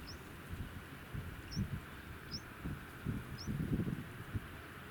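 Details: Japanese wagtail in Fukuyama, Hiroshima, Japan, on 25 February 2019, giving four short, high, sharp chirps at irregular intervals over about four seconds, above a steady low rumble of background noise.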